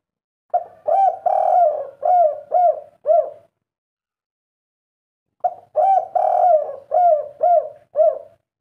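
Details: Spotted dove of the 'kuk 3' type, its characteristic call said to have up to three 'kuk' notes, a bird said in legend to be kept by kings and sultans; two phrases of about six hollow, low, bouncing coos, separated by a two-second pause.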